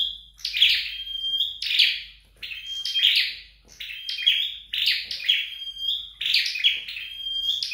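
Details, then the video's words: Home-trained scarlet-backed flowerpecker singing about six rapid phrases of sharp, scratchy high chirps that each trail into a steady thin whistle, with no other sounds. "Dợt Sâu Đầu Đỏ Tại Nhà"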